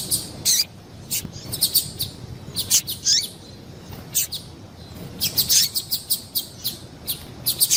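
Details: A female double-collared seedeater gives high, piercing chip notes meant to excite males. Isolated chirps alternate with quick runs of five to eight notes, separated by short pauses with only soft hiss.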